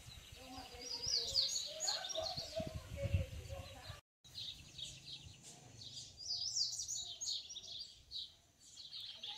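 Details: Yellow-bellied seedeater in the wild singing to its mate, keen to nest; quick high chirping trills continue through a short break, with people talking quietly and low rumbling noise early on.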